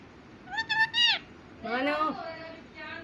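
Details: Pet parrot indoors mimicking a cat and human speech: a short, level, nasal meow-like note, then a longer arching, drawn-out mew that rises and falls, over faint background hiss.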